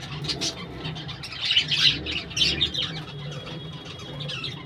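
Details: Budgerigars living as a colony in birdhouses, producing moderate bursts of scratchy, warbling chirps in irregular clusters over a steady low background hum.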